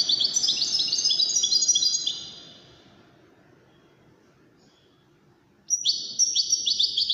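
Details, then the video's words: European goldfinch, one of five in a singing contest: a two-second flurry of tinkling twitters, a long quiet gap, then another bright, busy phrase. "مسابقة افضل تغاريد 5 حساسين ويدانية"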